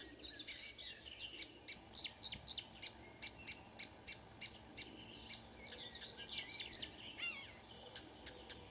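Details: At dawn on 2 June 2009 in Kråkstad, Norway, a marsh warbler sings; a steady series of sharp, clicking high notes about three a second, followed by a brief varied twitter.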